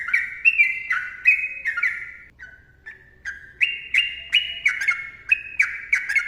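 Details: Sooty-headed bulbul, called trucukan, singing a long ropel-style song: bubbly, liquid notes in quick couplets that step down and back up, repeated about twice a second, with brief pauses partway through.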